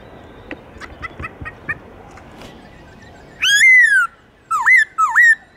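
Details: Laughingthrush song for getting caged birds singing: soft chips and clicks at first, then a long loud whistle that bends up and then down, followed by two shorter dipping whistled phrases.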